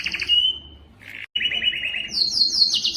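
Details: Canary song aimed at encouraging males to sing: a buzzy trill gliding into a level whistle, a brief gap, then a rolling mid-pitched tour and a high, fast chattering trill.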